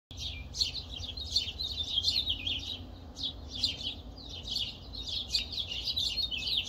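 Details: Many birds singing before dawn on April 4 around 6 am in Las Vegas, loud enough to be heard inside an insulated house; dense overlapping high twittering and chirping, continuous throughout, over a low background hum.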